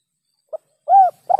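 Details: Spotted dove, called tekukur, lure call used for catching birds: short, soft, low tonal coos, a brief note followed by a longer arched coo and a final doubled note, with clean silence between.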